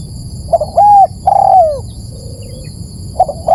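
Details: Spotted dove call used to lure birds: soft notes lead into a level coo and a long falling coo. A quiet gap follows, then the next phrase begins. A high steady whine is heard behind.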